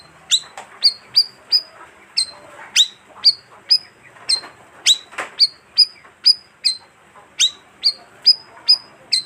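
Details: Bayeman bird, living in colonies of up to twenty, in a lure recording; steady series of high, thin, downward-flicking chirps, about two per second, with a few fainter notes.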